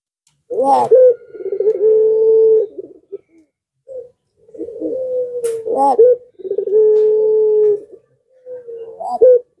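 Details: Pelung-style Barbary dove cooing as a lure so that quiet doves answer: two phrases, each a burst of short rising notes leading into a long level hum, with small trailing coos between.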